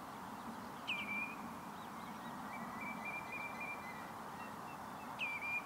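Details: Red knot at the Bergerden greenhouse area: two short, sharp whistled calls, each dropping slightly in pitch, near the start and at the end, with a fainter drawn-out whistle between them, all over a steady broadband hiss.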